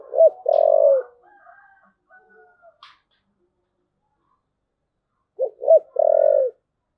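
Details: Thúc gù cooing of a spotted dove: a short hoot and a long, hoarse, low coo, faint drawn tones, a pause, then the full phrase again, two quick clipped notes leading into a long rough coo.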